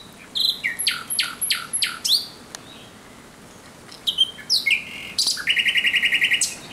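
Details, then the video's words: Nocturnal thrush nightingale song from 17 May 2023: deep, harsh knocking notes in a slow series, a pause, then varied chirps ending in a fast, dry rattle of repeated clicks. "Śpiew słowika rdzawego nocą."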